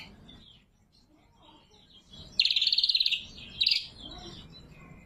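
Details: Greater green leafbird, locally cucak kombo, with sharp lure and training song: after quiet, a loud buzzy pulsed trill under a second long and one short harsh burst, then faint soft notes.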